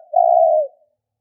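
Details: Spotted dove calling to lure wild doves: a single long, smooth, low coo held for about half a second and gently falling at the end, with a quiet background.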